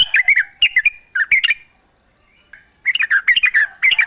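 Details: Quick gurgling notes from a Yellow-vented bulbul, a recording for drawing other bulbuls into song. Two bursts of rapid, slurred chirps are split by a quiet second, and a faint steady high whine runs throughout.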